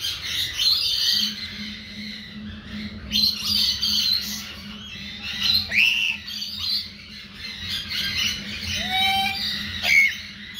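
Chattering lory giving harsh, squawking calls mixed with shorter chatter and whistled notes, against a steady low hum.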